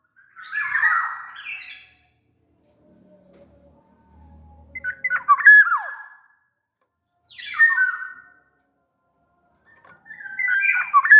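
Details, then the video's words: Sumbawa black-naped oriole, used to lure other orioles into song: four loud whistled phrases spaced by pauses, some fluid, some harsher, one with a sharp falling note. "SUARA KEPODANG GACOR pancingan kepodang agar bunyi"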